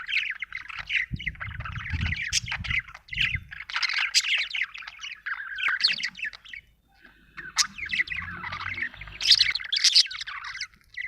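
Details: Budgie chatter made of quick, scratchy chirps and warbles running almost without pause, with a brief quieter gap in the middle and some low rumbling noise behind.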